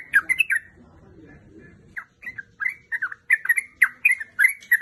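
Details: Female sooty-headed bulbul calling for a male: a loud opening burst of slurred notes, a pause of about a second and a half, then a steady chain of clear chattering phrases.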